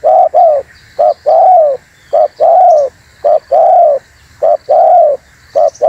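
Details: Spotted dove calling, used to lure wild doves and provoke other doves; low mellow coos in pairs, a short note then a longer drawn-out coo, repeated steadily about every second.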